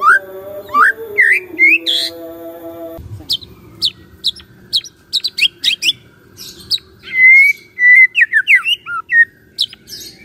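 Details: White-rumped shama song for the morning, played to excite a silent shama into song. Varied upslurred whistles are followed by a busy stretch of rapid clicks, chips and twisting notes, ending in fluted rising phrases.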